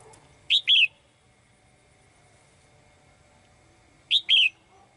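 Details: Female cage bird calling to a male with two paired chirps about three and a half seconds apart, each a clipped high note then a downward-sliding whistle.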